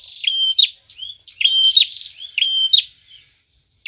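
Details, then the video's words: Prinia singing hard as a lure for catching birds: rapid high flat whistles, each ending in a sharp rise, run together with buzzy trilling and short slurred notes in a quick repeated pattern. "Prenjak tamu gacor cocok banget buat pikat dan pancingan"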